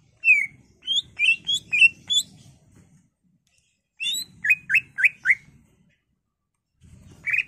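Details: Caged greater green leafbird singing in an excited gacor style, played to spur other caged birds: rapid runs of bright, sharp, slurred whistled notes in two bursts separated by a brief silence, ending on one more note.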